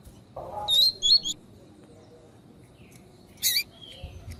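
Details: Female coleiro tui tui piado for warming up a male's song: a low buzz leading into high slurred whistles, silence, then one harsh chip and a faint thin whistle.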